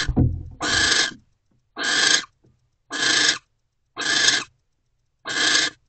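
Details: Nest-box owls mating, 20 January 2024 at 3:33 pm: five loud, harsh hissing screeches spaced about a second apart, after a low thump at the start.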